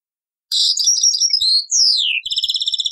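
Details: Old-cassette recording of European goldfinch taqsraine song: dense tinkling twitter, a clear sliding whistle sweeping downward, then a fast, evenly beaded trill.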